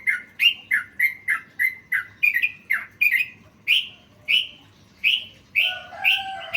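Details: Sooty-headed bulbul song with learned fill-in phrases, used for training songbirds: a quick series of bright chirped notes, then slower, louder slurred whistles spaced about half a second apart, with a lower double-toned phrase near the end.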